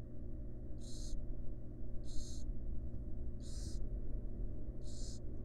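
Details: Wild barn owls in a research nest box, the mother resting by her chicks; four loud breathy hisses about a second apart over a steady electrical hum.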